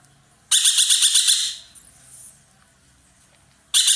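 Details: Ekek keling, the dollarbird, a loud-voiced bird used as a master for songbirds, chattering keenly. A coarse, pulsed rasp of about seven beats is followed by a fainter echo-like tail, then after a pause another burst begins.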